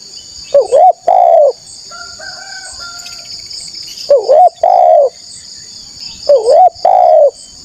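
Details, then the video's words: Spotted dove, a wild forest bird answering a lure call and seeking a rival, gives three loud cooing phrases, each a dipping two-note coo followed by a longer level coo, roughly every three seconds, over a steady high hiss. "TEKUKUR GACOR SUARA MERDU_5 DETIK NYAUT PANCINGAN TEKUKUR NGALAS CARI LAWAN"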